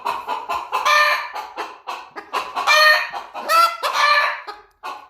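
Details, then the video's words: Three young pet chickens squabbling on their 223rd day, the Silkie yelling up at the two hens: loud, harsh squawks and rising nasal cries, several overlapping in quick bursts, with shorter clucks between. "the chickens are having an argument oh dear this is what it sounds like when the chickens have a little argument uh stormy kind of yells up at the girls"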